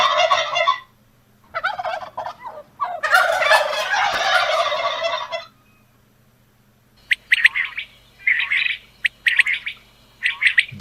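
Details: A domestic village turkey gobbling: a few short harsh bursts, then a long rapid rolling gobble; sharp, quick quail calls follow near the end.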